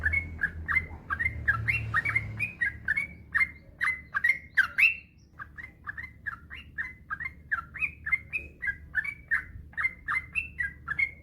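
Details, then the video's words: Long continuous song of a yellow-vented bulbul, used to make lazy bulbuls sing more: clear chirps follow each other rapidly for the whole stretch, with a slight pause midway, over low steady hum. "Suara burung trucukan gacor ropel panjang trucuk apapun pasti nyaut"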